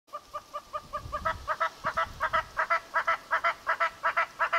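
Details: A Southern red-billed hornbill in western Etosha National Park, Namibia, gives a steady run of clucking, nasal 'wok' notes, about three a second, growing louder as it goes, with a little low rumble early on.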